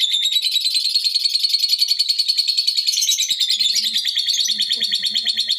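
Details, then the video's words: Long ngekek from an excited lovebird, used to provoke other birds: a loud, unbroken, rapidly pulsed high trill, about three and a half pulses per second, running for the whole stretch with slight pitch wavering. "Pancingan suara love bird emosi dan ngekek panjang"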